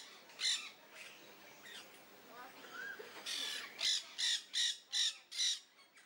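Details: Peach-fronted parakeet filmed in close-up, giving harsh, screechy calls: one early, then a fast series of six rasping shrieks about every half second, with softer chatter in between.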